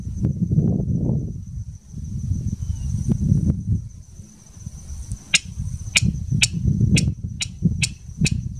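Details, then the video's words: King rail calling in the marshes of Blackwater NWR, giving sharp, dry kek notes about twice a second near the end, over a low wind rumble and a steady high insect whine. "King Rail call"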